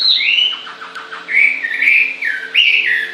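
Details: A bird sings a few high descending whistles, then a quick series of short downward chirps, followed by longer warbled phrases that rise and fall; little else audible.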